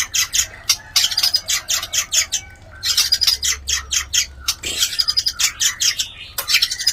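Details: White-rumped shama mating call, used to stimulate other shamas to breed: rapid, dense bursts of harsh, squawky chirps with short gaps, a busy chattering stream of high notes throughout.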